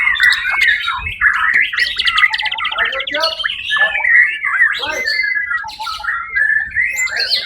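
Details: Competition-winning white-rumped shama (murai batu) singing at the Suara Agung songbird contest on 1 October 2023: a dense, varied stream of bright whistles, rapid trills and harsh chattering notes, with faint background noise.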